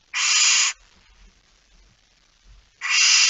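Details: In a nest box at night in Fryslân, Netherlands, September 2019, a barn owl with a small chick gives two long raspy hissing screeches, each over half a second, separated by soft shuffling sounds.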